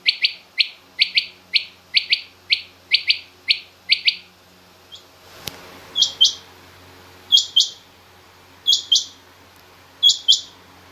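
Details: Mixed rain quail and king quail calling, featuring a female rain quail: a rapid series of about ten lower doubled chirps, a sharp click, then four slower, higher-pitched chirp pairs spaced over a second apart.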